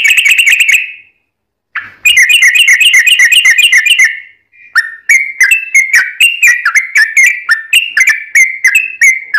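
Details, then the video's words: Lively yellow-vented bulbul in 'ropel' rapid song, used as a lure: a dense burst of fast, buzzy repeated notes, a short pause, then a chain of liquid whistled phrases about four per second. "trucukan gacor ROPEL PANJANG buat pancingan trucukan agar bunyi JADIKAN burung trucuk gacor NYAUT"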